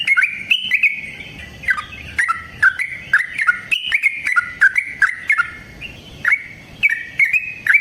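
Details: Yellow-vented bulbul giving a long, vigorous lure song in wild style: chattering, bubbling phrases of short slurred whistles, rising and falling, run together almost continuously with brief clicks between notes.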